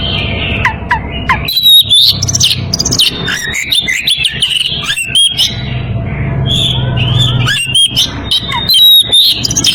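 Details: Oriental magpie-robin in breeding condition calling a rival: varied loud whistled phrases and sharp rising notes in irregular bursts over a constant low rumbling background.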